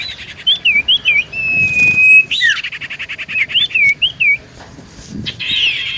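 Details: Common iora singing busily, played as a lure to provoke replies: wavy whistles, a long level whistle and a sharp downslur, then a rapid clicking trill and more looping notes.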